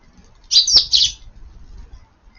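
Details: A single loud, harsh double chirp from Eurasian tree sparrows sheltering under garden eaves during rain at lunchtime, 7 June, followed by quiet low rumble.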